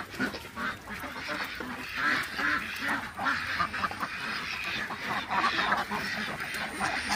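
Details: ['Crowd of farm ducks in Nepal quacking together, rough nasal calls piling over one another without pause in a steady, noisy chorus.']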